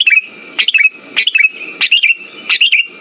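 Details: Short lure clip of sooty-headed bulbul song for stimulating silent birds: four crisp chirp phrases, each a sharp upward stroke then a quick falling warble, spaced about 0.6 seconds apart.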